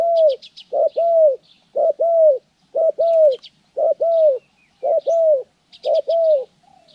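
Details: Spotted dove heard in bird-trapping training on January 14, 2020: steady hoarse coo phrases, each a short note followed by a longer drawn note, repeated about once a second, over light high-pitched chirping of small birds.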